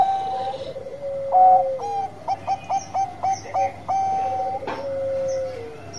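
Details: Zebra dove, Bangkok type, in vigorous song: a sliding coo, then a steady train of about eight short pulsed notes, ending in a longer drawn coo overlapped by another dove.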